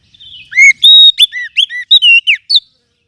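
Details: Lure song of a wild forest oriental magpie-robin for training songbirds: one quick, loud phrase of about eight bright whistled notes, mixing long pure tones with quick up-and-down slurs.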